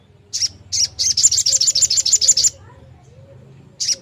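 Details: Long-tailed shrike song used to stir other shrikes into singing: short high chattering bursts, then a fast, even series of buzzy notes for about one and a half seconds, and a final brief burst after a pause.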